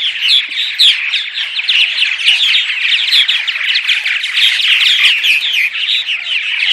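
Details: Several purple martins calling in the morning, a recording used to attract martins: a steady, dense stream of gurgling, chirping notes with scattered bright whistles and no pauses.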